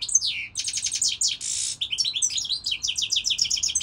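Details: European goldfinch in full song: quick repeated chirps, a harsh buzzy burst, then a long stream of liquid twittering and tinkling trills, loud and continuous.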